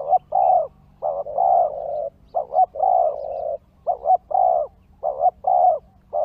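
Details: Spotted dove calling to lure wild doves: repeated low coo phrases, each a quick double note then a long, slightly wavering coo, the pattern recurring several times over six seconds with a faint steady hum behind.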